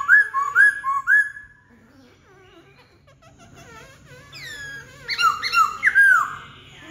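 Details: Laughingthrush giving rising whistled slurs, then soft varied twittering and mimicked warbles, ending in a loud burst of rich upslurred whistles and chattering notes.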